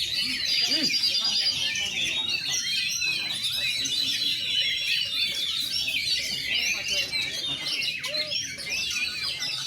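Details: Young caged kacer hung out for its first time, singing with feathers fluffed in tembak and rambatan style: a dense, continuous, fast chatter of high twittering and whistled notes, with a faint whistled note near the start.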